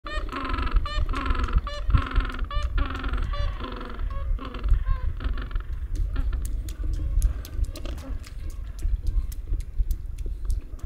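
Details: Penguins in Antarctica calling: a run of loud, harmonic, braying honks in quick pulses for about five seconds, then quieter scattered calls, all over a strong low wind rumble.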